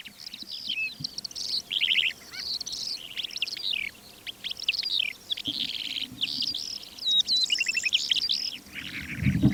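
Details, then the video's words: Calandra lark flight song recorded at the edge of Divnoye village, Manych, northern Stavropol, early morning before 8 am on 21 April 2024 in calm air: a fast, unbroken stream of high, varied twitters, trills and scratchy notes over faint wind rumble. "Стал пытаться записывать голос Джурбая в полете. И вот что из этого вышло."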